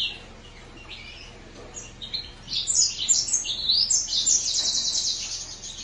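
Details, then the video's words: Green singer finch song building from soft notes into a rapid high twittering warble that ends in a long buzzy trill. "السورا الموزنبيقي Green singer finch"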